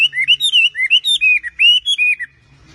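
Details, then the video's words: Chinese hwamei, a bird native to China, giving a short burst of about a dozen clear, looping whistled notes that swing up and down, then falling silent. "KICAUAN BURUNG WAMBE ( BURUNG ASLI DARI CHINA )"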